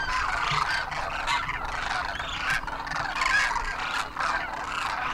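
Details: Demoiselle Cranes in a vast wild winter flock in Rajasthan, India, trumpeting in flight; loud, crowded clamour of rolling, honking calls from countless birds at once, rising and falling in waves.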